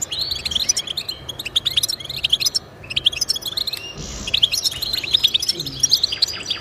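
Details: European goldfinch song used as singing motivation for pet goldfinches: twittering bursts of high notes, a short quiet gap, a brief buzzy sound, then renewed rapid chattering.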